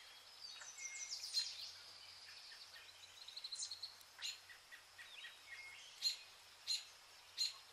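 Zebra finches give busy, high nasal chirps and short buzzy phrases. Several sharp beeps stand out near the end over a faint steady hum.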